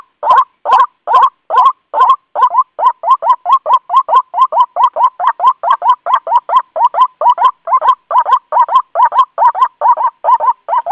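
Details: White-breasted waterhen lure call meant to bring other birds close to traps or bird lime; loud, harsh croaking notes repeated steadily about two to three times per second, opening with a few rougher bursts.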